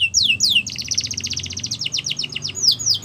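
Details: Yorkshire canary song for canary song training: two swooping whistled notes, then a long, fast rattling trill of closely repeated high syllables, closing with a few separate downslurred whistles.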